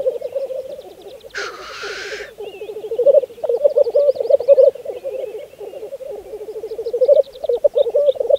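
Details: Lek of black grouse in spring 2014, Saaremaa, Estonia: dense low bubbling coos pulsing in waves, one harsh hissing sneeze lasting under a second, and faint high chirps behind.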